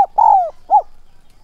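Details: Spotted dove decoy bird calling to draw in wild doves, thúc and gáy gọi style; a longer drawn-out falling coo followed by a short arched note.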